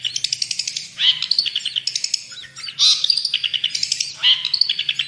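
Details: Long-tailed shrike singing actively, a tutor recording for other birds: quick chattering notes broken by loud descending squeals about once a second, with a soft low hum behind.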